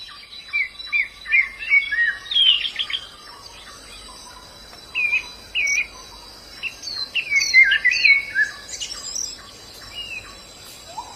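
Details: Wild white-eye giving short clusters of high, sharp twittering chirps with pauses between bursts, against a background of insect hiss.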